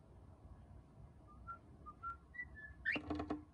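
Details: Pet cockatiel chick, sex unknown, on its third day in a new home, calling for the first time in the morning after its cage cover is lifted. Soft whistled tones precede a short rising, harmonic-rich chirp with a brief buzzy tail.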